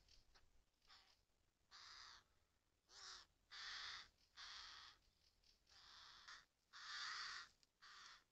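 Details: Common ravens, adults and young, in a forest in the Murmansk region of Russia; a series of about ten harsh, hoarse, noisy calls of varying length, some short and others drawn out, coming in uneven bursts with brief quiet gaps.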